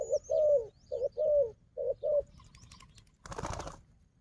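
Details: Low, mellow coos from a wild dove known for fighting, squaring off against a decoy. Three coo phrases, each a short note then a longer wavering one, followed by a burst of rustling noise.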